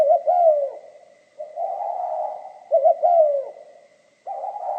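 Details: Spotted dove song in the mixed 'kim' voice style: a short-short-long phrase of husky coos, a long burring stretch, then the phrase repeats, followed by a pause and a new burr.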